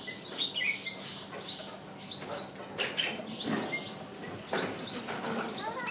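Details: A decoy songbird calling on and on to lure wild birds that don't come in: a rapid run of high, thin chirps and short tweets, dense overlapping notes over scratchy rustling.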